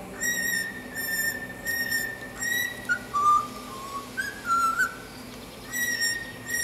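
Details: Caged cockatiel whistling a learned tune, such as the national anthem or the Star Wars theme: steady sustained whistled notes, then a run of shorter stepped notes dipping lower and returning, pure and flute-like with a faint hum behind.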